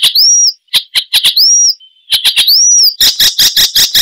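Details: Icterine warbler song, a loud, richly varied songster: arched whistles near the top of the range alternate with sharp clicks and a brief thin tone, ending in a fast run of harsh buzzy notes.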